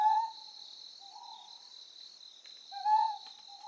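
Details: On Amami Oshima, Japan, a Ryukyu scops owl hoots twice, each strong hollow note trailed by a quieter echoing hoot, with shrill insects buzzing continuously behind.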